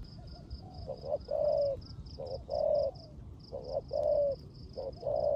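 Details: Spotted dove, a caged decoy, singing its 'rước gù' coo in the rain: clipped introductory notes followed by drawn-out mellow coos, four phrases, over rain noise and a high pulsed buzzing.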